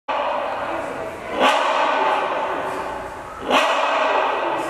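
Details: Great hornbill at Denver Zoo giving loud, harsh, barking calls about two seconds apart over a steady wash of background noise.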